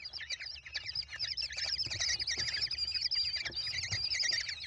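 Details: Several of five American kestrel chicks begging while being fed by their mother at a nest on 28 May 2021; overlapping high, rapid, squealing chips and trills, tightly layered and continuous, with faint low rumble beneath.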